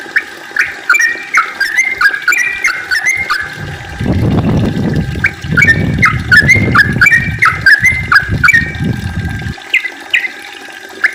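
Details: Yellow-vented bulbul in long rolling song, played to get other bulbuls singing: repeated bubbly fluted phrases throughout, with a broad low rushing noise through the middle stretch.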